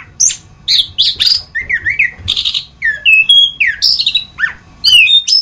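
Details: Anis kembang, the orange-headed thrush, in a masteran training recording: rich, varied song of bright whistles, slurred up-and-down notes and quick chips, delivered in a fast run with short gaps, over a faint low background hum.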